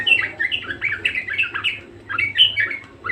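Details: Vigorously singing budgerigar (Melopsittacus undulatus) pours out a burst of squeaky, chattering warble notes, then pauses briefly before a second burst of rising chirps, all over a low steady hum.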